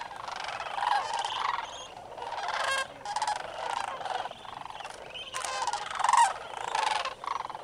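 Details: Early morning at the North Crane Pool roost, Bosque del Apache National Wildlife Refuge, 27 November 2009: sandhill cranes give overlapping rattling, trumpeting calls in uneven bursts, with many birds calling at once.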